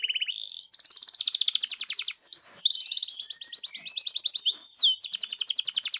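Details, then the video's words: Canary song for provoking another canary into song: alternating tours of fast, even rattling trills at different pitches, broken by brief whistles. "GAK PAKEK LAMA PANCING DENGAN INI KENARIMU LANGSUNG NYAUT GACOR"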